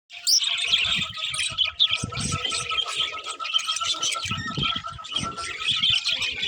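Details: Several budgerigars chattering together in a dense, continuous stream of high scratchy chirps and squawky warbles, with occasional low thumps and knocks underneath and a faint steady tone in the background.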